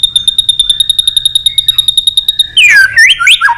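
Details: White-rumped shama in intense competitive song: a steady rapid series of dry ticking notes for over two seconds, then a loud whistled phrase with swooping, falling and rising notes.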